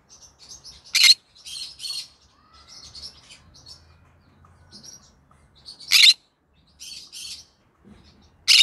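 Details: Green-cheeked conure, a pet parrot, calling in the evening: sharp loud chirps near 1, 6 and 8.6 seconds with quieter chattering notes in between, plus faint low hum and soft household background.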